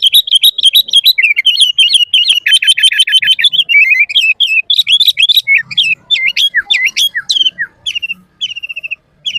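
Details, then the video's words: Sooty-headed bulbul singing vigorously in a full, varied song used to train and lure bulbuls: a dense, rapid stream of bright chirps and short warbled notes, tumbling quickly then breaking into spaced, rising and falling whistles toward the end. "Suara Burung Kutilang Gacor FULL ISIAN paling masuk buat PANCINGAN MASTERAN semua BURUNG KUTILANG"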